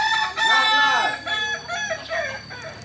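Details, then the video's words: Kukuak Balenggek chicken from Solok crows: a strong, harmonic opening phrase followed by a string of shorter, wavering syllables that gradually soften. "Ayam kukuak balenggek asli solok"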